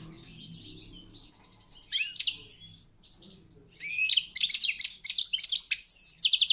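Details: European goldfinch singing in a song competition at a world championship, quiet at first, then a short burst of twittering near two seconds and a dense run of bright, rapid twittering and trills from about four seconds on.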